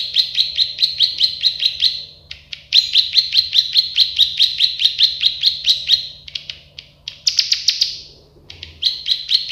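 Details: Plain prinia, the klik-klik bird or prenjak sawah, in a tutor recording: long runs of repeated buzzy chips broken by short pauses, one higher and harsher burst near the end, over a low hum.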